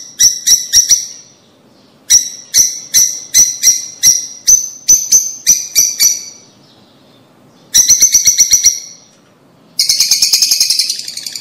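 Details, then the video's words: Lovebirds, a breeding pair, calling for mating and breeding: bursts of sharp, high chirps repeated rapidly in runs of five to ten, separated by short pauses, ending in a dense buzzy chatter. "El sonido de los tortolitos para el apareamiento y la producción."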